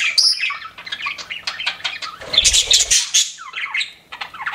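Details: Pet budgerigars chattering in quick, scratchy warbles and squeaks; a short low thump or flutter sounds midway through the busy, high chirping.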